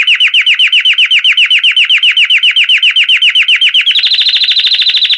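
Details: A Belgian canary sings its bell-like song: a steady, rapid trill of bright repeated notes, about eight a second, then a faster, higher rolling trill.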